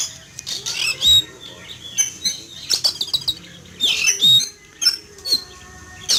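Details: Oriental magpie-robin kept in a cage outdoors on a morning, agitated at the sight of a flying eagle: loud rasping squawks and sharp chattering bursts, with a few clear whistles and low background rumble.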